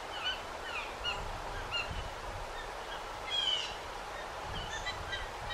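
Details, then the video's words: Wild blue jays mobbing and dive-bombing a red-shouldered hawk perched high in a backyard pine: several harsh, slurred, descending jay notes at irregular intervals, one louder buzzy call near the middle, over faint outdoor background. "Blue Jays Dive Bombing and Mobbing Hawk"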